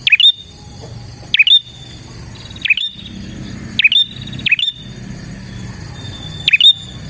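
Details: Bar-winged prinia singing tirelessly, a sound used to attract and lure other prinias: short sharp notes that dip and rise into a thin whistle, repeated about every second, over a steady faint high-pitched hum.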